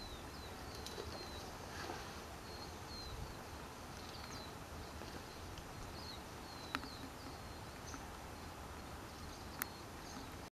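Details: Adult Abyssinian white-eye on its nest in a wadi near Soudah Waterfall, Asir Province, Saudi Arabia, July 28, 2020. It gives thin, high, short call notes about every second over a steady low rumble of wind or traffic.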